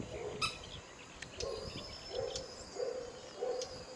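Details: Western swamphen calling: a short series of five low, nasal hooting notes spaced roughly every 0.7 seconds, with faint high chirps from other birds and a steady background hiss.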